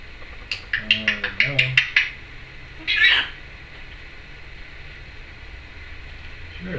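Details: Pet Timneh African grey parrot, kept indoors in 2012, producing a quick series of clicking, chattering notes followed by a single louder harsh squawk, then quiet room noise.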